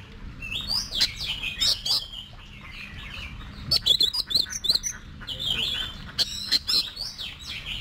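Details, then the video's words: Oriental magpie-robin being trained to sing in competitions: bursts of high twittering whistles and crisp ticks, a quiet pause, then a fresh rapid flurry of sharp notes, above a steady low hum. "Luyện Giọng Cho Chòe Than Hót Đấu"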